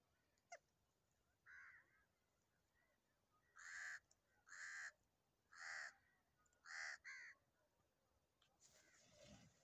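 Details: Crows playing in farm fields in Punjab, Pakistan. Five harsh, hoarse caws come one after another, roughly a second apart, and a fainter rasping call follows near the end.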